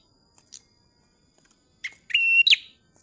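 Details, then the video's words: A tailorbird gives a loud, sharp burst: a brief chirp, then a strong steady high whistle and a shrill falling note, with faint chips before it. "Prenjak Klawu Paud Gacor Cor"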